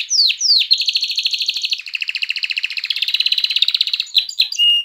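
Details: Canary song meant to excite females into mating and prompt young birds to sing: two quick descending whistles, then a long, even, high rolling trill that drops to a lower buzzy pulsed trill and ends in a clear steady whistle.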